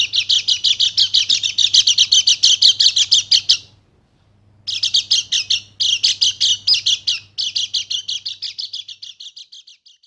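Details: Bali white-eye singing energetically as a stimulus for quiet birds: long bursts of very rapid, high twittering chirps, a silent gap near four seconds, then more chattering runs that slowly fade, with a low hum underneath.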